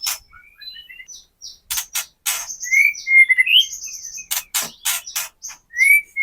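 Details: Kretekan song of a captive white-rumped shama, played to provoke caged birds into singing and fighting mood; sparse thin whistles and sharp crackling clicks, with clear slurred whistles near the middle and at the end, broken by short silences.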